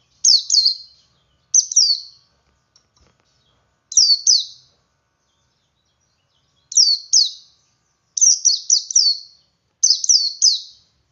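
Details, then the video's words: Male Oriental white-eye singing in the ngalas style, used to prompt other white-eyes to sing: short bursts of two to four very high, sharply down-slurred whistled notes, six bursts spaced over eleven seconds with silent gaps. "Suara Burung Pleci Jantan Ngalas Memancing Pleci Lain Ikut Ngalas"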